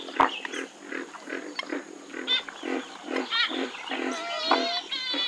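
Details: Western swamphen giving harsh, nasal honking notes repeated rapidly, about three per second, with higher wavering whistled tones joining toward the end; steady faint background hiss.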